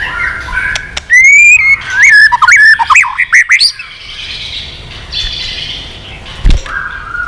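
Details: Heated white-rumped shama, taken from the wild when old, delivering many-voiced combat song: a long rising whistle followed by tumbling looping notes and crisp clicks for about three seconds, then faint background noise and a sharp knock.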